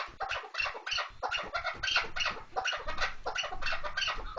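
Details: Chukar partridge, kınalı keklik, giving a dense run of harsh repeated call notes, about three per second, loud and uneven, with a clipped, crowded texture.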